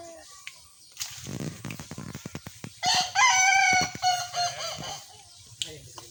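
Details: Kukuak Balenggek rooster in a crowing contest, one long crow of rapid, stepped harmonic syllables running for about two seconds, preceded by sharp clicks and faint tapping.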